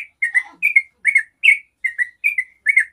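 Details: Yellow-vented bulbul singing a long rolling song, played to coax other bulbuls into answering: bubbly, slightly descending chirped notes in pairs, about two and a half per second, clear and unaccompanied.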